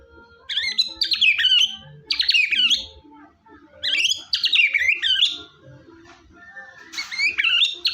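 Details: Murai batu, the white-rumped shama, singing in a recording meant to prompt a silent bird to sing: repeated bursts of rapid, rich whistled phrases with sweeping slurs, roughly every second or two, over faint low-pitched background tones.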